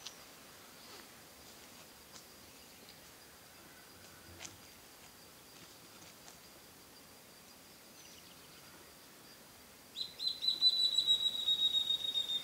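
Ceara leaftosser: after a long quiet stretch of faint forest hiss, a rapid run of high, thin, slightly falling squeaky notes closes the recording.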